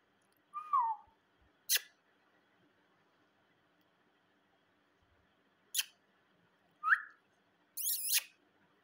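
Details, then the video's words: A parrot giving short, clear whistles that slide downward, one near the start and another after a long pause, then a harsher harmonic squawk at the end, with sharp clicks scattered between in a quiet room. "Most beautiful intelegent Parrot"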